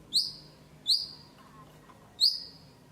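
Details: White-rumped shama lure song, meant to rouse quiet birds into singing: three sharp, very high notes sweeping downward, spaced about a second apart, with faint background hiss between them.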